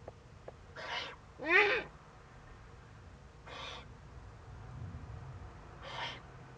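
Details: Young Eurasian eagle-owl at a wild nest under a webcam in northern Rhineland-Palatinate, Germany, 15 May 2013, during first contact with an adult. Four harsh, hissing, rasping bursts about a second apart, one with stacked rising-falling tonal bands, over low background rumble.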